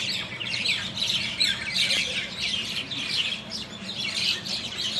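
Common mynas chatter in a dense, continuous jumble of harsh squawks and sharp chirps, several birds calling over each other throughout.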